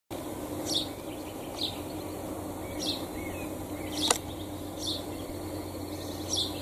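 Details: House sparrow gives short, sharp chirps about once a second over a steady background hum and hiss.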